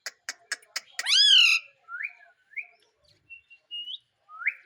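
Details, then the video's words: Indian ringneck parrot, a pet, talking and saying "mummy"; a few sharp clicks, then a loud harsh drawn-out screech followed by short, soft whistled and rising word-like notes with pauses between. "Mummy Mummy bolne wala Tota _ Parrot Talking _ Sweet Ringneck Parrot Talking"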